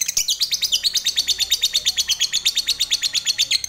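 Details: Lovebird, the fighter type, singing its long ngekek chatter to provoke other lovebirds. The chatter is a fast, steady stream of high, shrill chirps, roughly five every second, unbroken throughout.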